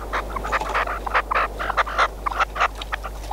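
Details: Hunting decoy red-legged partridge belonging to a friend, giving coarse, raspy chuckling notes in a brisk irregular run, about three per second at peaks, with a faint low drone behind.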